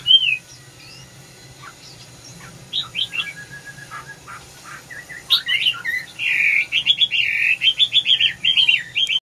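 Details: Red-whiskered bulbul singing: soft scattered chirps and short notes at first, building into a loud, fast series of bright, rolling warbled notes at the end.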